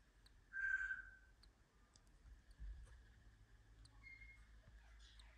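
A cockatiel chick still inside its egg gives one soft, mid-pitched squeaky peep, then a fainter thin peep a few seconds later, over quiet background hiss.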